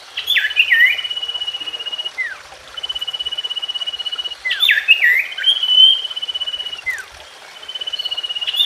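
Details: Common iora song for reviving a silent bird: looping whistled figures lead into level pulsed trills about two seconds long, interspersed with drooping slurs, repeated through the passage.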